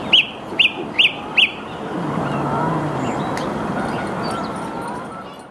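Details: Singing song thrush at 08:10 on 8 March 2022, Saarn-Mendener Ruhraue, Mülheim an der Ruhr: one clear note repeated four times at an even pace, then quieter fragments fading into steady rushing background noise.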